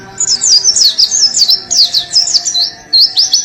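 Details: Oriental white-eye singing vigorously by coffee: a continuous, very high, quick twittering run of slurred rising and falling whistles. A short break comes before a fresh burst of rapid notes, with faint low tones underneath.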